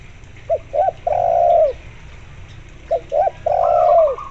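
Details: Spotted dove in full voice with a local zebra dove accompanying it as a lure. Two phrases, each with clipped double coos and a long downward-curving coo. A higher zebra dove trill overlaps the end.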